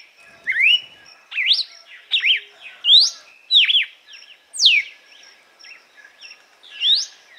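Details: Red-cowled cardinal in açoite song, meant to stimulate and train other birds: a lively series of whistled upsweeps and downslurs in quick succession, with several loud phrases over seven seconds and a faint high steady tone behind.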